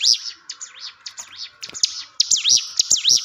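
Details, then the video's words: Hill prinia song played to coax a quiet caged bird into singing: loud, high swooping notes that dip and rise, in short bursts broken by dry clicks. "ciblek gunung diam saja kurang loss mental ciut latih dengan pancingan ini"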